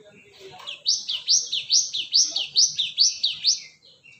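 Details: Gelatik batu (cinereous tit) calling as a lure: about eight to ten ringing, rising whistled notes. The notes are delivered rhythmically, roughly three per second, each sweeping sharply upward, over a faint low murmur.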